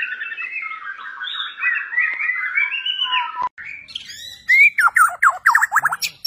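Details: White-rumped shama of the Borneo type, newly acquired, energetic and insistent with bowing display; long run of warbled whistles around mid pitch, a brief gap, then a burst of rapid downslurred notes repeated in quick series.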